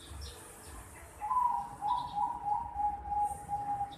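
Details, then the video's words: Young Bangkok-line zebra dove, 4.5 months old, gives a run of clear, mid-pitched cooing notes that start after a short pause and flow into a steady, slightly wavering tone lasting several seconds. Faint low rumble in the background. "Suara Teriakan Piyek Burung Perkutut Bangkok Umur 4,5 Bulan"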